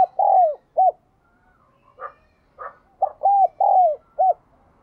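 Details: Two phrases of a spotted dove's bronze-bell 'đồng kim' voice, a ringing style also called 'đồng chuông'. Each phrase has mellow hollow coos with a long descending note. Short rough notes sound in the pause between the phrases.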